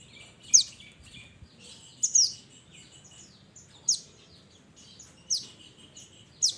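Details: Mountain mantenan (minivet) calling its companions: thin, high whistled notes sweeping downward, given singly or in quick pairs about every one to one and a half seconds, over faint low rumbling background noise.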